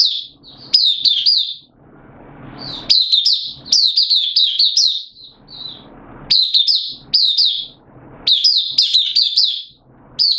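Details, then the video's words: Oriental white-eye kept as a caged songbird, open singing recorded 8 September 2022 with form a little down; repeated bursts of high, sweet, fast-slurred warbling every second or two, with short pauses and faint hum. "Mata Puteh Kitaro Buka Sing 08092022 Form dipped a little"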